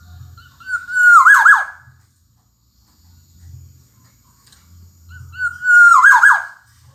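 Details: Black-naped oriole song from a master recording: two fluted phrases, each a short level whistle tumbling into a descending warble, spaced about five seconds apart with silence between and a soft low hum in the background.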